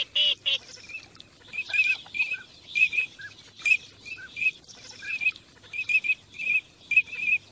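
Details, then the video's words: Migrating teal calling in a steady stream of short whistled chirps, often doubled, with fainter lower notes between them and a brief harsh burst at the very start. "teal call migration song"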